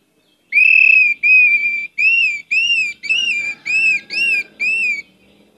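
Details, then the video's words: Orange-headed thrush singing actively, a lure recording rich in varied phrases: eight clear whistled notes, each slightly arched, repeated in quick succession with brief gaps, in an otherwise quiet background. "pancinagan anis merah gcor banyak isian"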